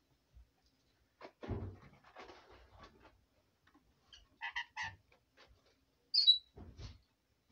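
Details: A female pet red lory chatters softly at bedtime in a quiet room: scratchy mutters, a few quick nasal notes and one sharp falling whistle, spread unevenly over several seconds.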